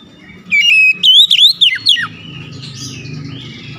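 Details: Oriental magpie-robin singing one bright whistled phrase, a level note then five quick rising-and-falling slurs ending in downward swoops, followed by softer distant chirps over a low background hum.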